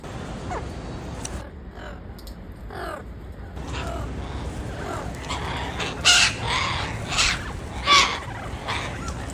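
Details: Turquoise-fronted amazon in the wild: a subdued opening with faint calls, then three loud, harsh, grating squawks spaced about a second apart toward the end.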